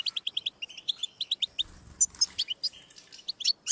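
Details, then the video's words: European goldfinch song recording, intended to stimulate a pet goldfinch to sing: rapid series of high, short notes repeated quickly, broken by denser twittering bursts and a few sharp whistled accents; a brief low thump midway. "Audiorecordings of the goldfinch to stimulate birdsongs"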